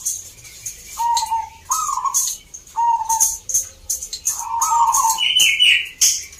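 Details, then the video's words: Zebra dove song at a local contest in Salatiga, Central Java, Indonesia: short purring coos in separate phrases, closing with a higher rasping note, over steady crisp ticking from the busy competition ground. "EDAN BUNYINYA ISTIMEWA 🔴 Perkutut gacor door"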